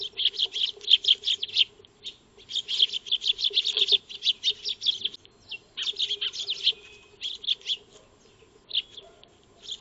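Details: Feeding Eurasian tree sparrows (maya birds) in a backyard, filmed with a solar-powered wildlife camera; loud, dense chattering chirps in rapid overlapping bursts, easing toward the end, over a steady low hum.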